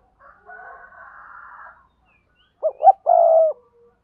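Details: Spotted dove, a decoy bird from Đồng Nai, Vietnam, kept to lure wild doves with double-voice cooing. A faint hoarse drawn-out sound comes first. Then two quick hooting notes lead into a sustained, slightly falling mellow coo.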